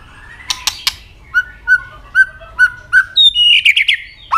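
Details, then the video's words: Fighting song of a White-rumped shama, opening with three sharp clicks, then a series of short clear whistled notes repeated about every half second, and closing with a fast rising warbled trill. "chòe lửa chuyền hót đấu nết đập tạch đuôi chắc,kích chòe lửa hót đấu chớm lửa"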